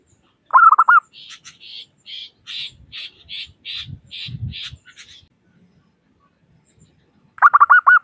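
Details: Lure call of a lively local zebra dove: a fast burst of mellow coos opens and closes the recording, with a run of about ten high, repeated chirps from another bird in between and faint low thumps.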